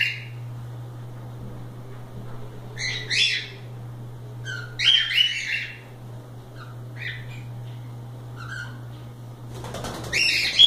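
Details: Loose pet cockatiels at play: scattered harsh squawks and short chirps come in brief clusters separated by quiet gaps, ending with a burst of wing flapping and a louder call, over a constant low hum.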